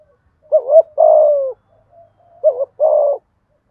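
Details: Two 'thúc gù' phrases from a spotted dove used to provoke wild doves, each a quick bouncing note then a held, gently descending coo, about two seconds apart, with faint murmuring between.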